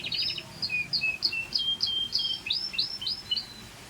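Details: Scotch Fancy canary singing a bright, fast high-pitched song: clear whistled notes and short repeated slurred phrases, rising and falling, delivered in quick succession over a faint background hiss.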